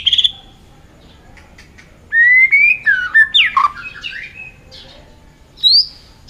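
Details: White-rumped shama in competition song with varied voices. A brief high trill opens, followed after a pause by long rising whistles, a sharp downward-swooping note and soft chatter. A final upward whistle closes the phrase.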